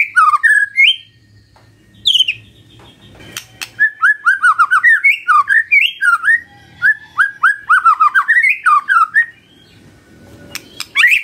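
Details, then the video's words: Morning magpie-robin song, played so that a quiet bird will sing back: varied whistled phrases, then a long, lively sequence of rapid slurred notes, mostly falling. Occasional sharp clicks are also heard. "Pancingan PAGI PAGI AGAR MURAI GACOR❗ murai diam pasti ikut NYAUT❗❗"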